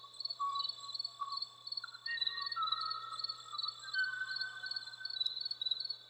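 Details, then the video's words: ʻŌʻō (Moho), an extinct bird genus once endemic to the Hawaiian Islands, singing long, pure whistled notes that slide slowly upward and level off, against a steady, pulsing insect-like trill high above and a low hum. "Moho sounds, moho singing"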